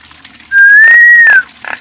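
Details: Nias hill myna giving one loud, pure, sustained whistle that rises slightly, holds steady, and then drops away at the end. Soft nasal notes come before and after.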